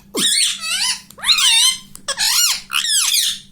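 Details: ['Talking pet ring-necked parakeet voicing "mummy": four close, strident syllables with swooping pitch, each followed by a short break, with a faint low hum in the background.']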